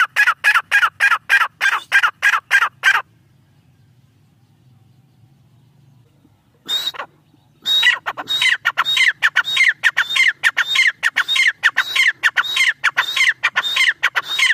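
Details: Female black francolin (teetar) uttering a rapid string of harsh notes, then a pause of about four seconds with low background hum, before a longer, denser bout of the same high-then-falling calls, near two per second.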